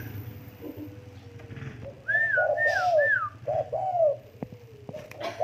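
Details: Tame spotted dove giving low, arched cooing notes in a short cluster, preceded by three higher, clear descending whistles; quiet indoor background.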